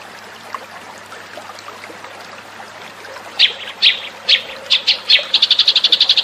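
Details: Eurasian tree sparrow lure call: after three quiet seconds, loud separate chirps arrive about every half second, then speed up into a rapid, even chattering run.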